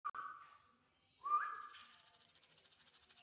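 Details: Black-winged myna song: two clear whistled notes held at a steady pitch, the second rising slightly at its start, followed by a raspy, buzzing chatter that fades out.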